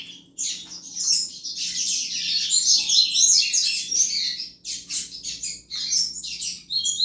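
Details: Double-collared seedeater singing in the 'chuva' song style used to excite other males: a dense, fast, high twittering warble, with brief pauses and bursts of rapid chips near the end.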